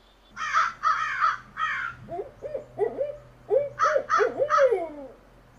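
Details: Owl lure recording: rough broadband bursts at the start and end, between them a series of quick hoots that dip and rise, closing with a long falling slur.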